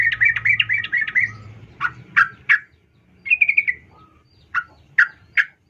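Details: Sooty-headed bulbul female calling a male, played as a lure for males: an opening burst of quick chattering notes, then spaced harsh chirps, a short trill and more separate sharp notes.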